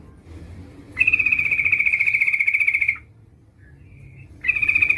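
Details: Female Yellow-vented Bulbul calling to a male, played as a lure: a long, even, buzzy rattle held for about two seconds, then a brief pause and the rattle starts again.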